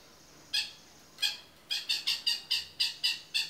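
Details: Long-tailed shrike (cendet) in a 'toet miyik' song style, used as a tutor recording for other birds: harsh, buzzy rasping notes, two spaced out, then a rapid series of about nine repeated several times a second.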